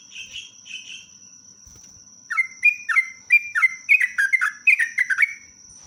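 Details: Sooty-headed bulbul, a very vocal bird, pouring out its long rolling song. A couple of soft chirps, then a rapid chattering run of slurred whistled notes that gain pace and loudness, over a constant thin high-pitched hum.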